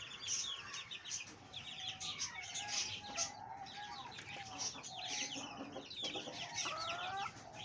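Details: Fancy hens and roosters cluck and call in a busy chorus, with several birds calling at once and a few drawn-out, wavering notes standing out.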